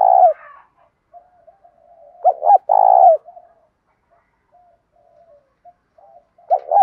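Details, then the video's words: Spotted dove, morning lure call in the 'giọng thổ' and 'thúc gù' style. Its low hoarse coos come as two quick notes and then a sustained coo, separated by gentle murmuring between phrases. "cu gáy giọng thổ pha thúc gù đủ bài, gáy gọi bổi buổi sáng"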